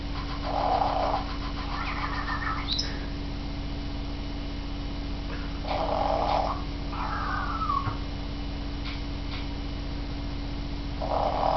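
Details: African grey parrot kept as a pet producing snoring sounds: breathy, hoarse rasping snores recurring about every five seconds, interspersed with short whistled chirps, over a constant low electrical hum.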